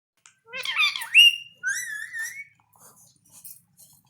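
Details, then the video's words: Pet parrot talking while asking for food; a burst of raspy speech-like syllables followed by two clear whistled tones, the second rising slightly, then quiet faint chatter. "khana chah raha h || mang raha h mitthu anta || talking parrot"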